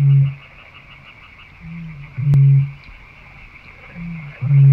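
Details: Eurasian bittern booming: deep, hollow low boom notes about two seconds apart, each preceded by a short, slightly higher grunting intake, over a steady high-pitched hum.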